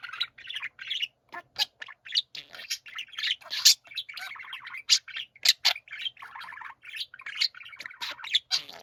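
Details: Pet budgerigars singing together in a dense, lively chorus of rapid clicks, squeaks and scratchy warbled phrases, with frequent sharp high notes.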